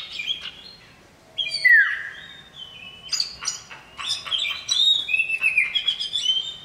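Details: Male common iora, said to have a loud, piercing voice, calling a female: short chips, then a steep falling whistle, followed by clusters of bright, rising and dipping whistled notes.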